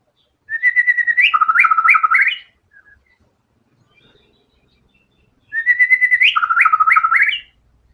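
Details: ['White-rumped shama in full, energetic song, showing its whole repertoire of learned filler material. Two rich whistled phrases are separated by a pause of about three seconds. Each opens with a steady note and breaks into rapid rising and falling warbles.']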